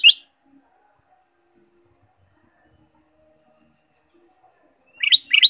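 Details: Ruby-throated bulbul song used to prompt caged birds to sing: a clipped chirp at the start, a long quiet gap, then a paired burst of bright, bubbling notes.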